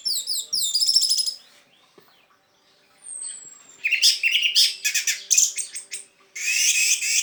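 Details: Orange-headed thrush in teler-style song, used as a lure to prompt thrushes that have stopped singing: a quick burst of sharp repeated notes, a pause with one thin high whistle, then dense varied chattering phrases and high buzzy notes.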